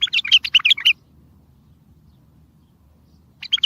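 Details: Bulbul singing forcefully, a lure for trapping other bulbuls and making silent ones sing; a quick chattering phrase of bright notes, then a long pause over low hum, then the phrase starting again.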